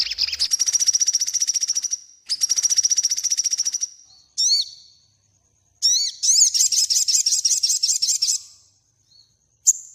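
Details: Sogon in full song, a master recording for birds in training: two long, even, buzzy high trills, a couple of sharp falling whistles, then a quick series of ringing looped notes.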